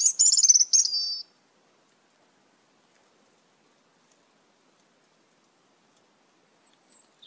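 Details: Greenish-black Asian glossy starling with red eyes, one of many feeding on papaya plants in a backyard: a brief loud cluster of piercing high metallic chirps, then silence and a faint thin whistle at the end.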